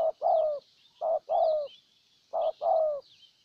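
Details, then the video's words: Strong-cooing decoy spotted dove in Ninh Thuận, Vietnam, enticing a wild bird: three paired coos, each a short note followed by a longer, falling one, with thin chirps of small birds above. "Cu Gáy Ninh Thuận clip 144 [ Hiệp 2 ] Mồi Siêu Gù thu phục bổi quá tuyệt vời"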